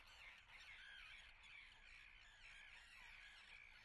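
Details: Common terns nesting at Atlit on 10 June 2010, a colony giving continuous harsh, grating calls that overlap one another without pause, with several birds calling at once.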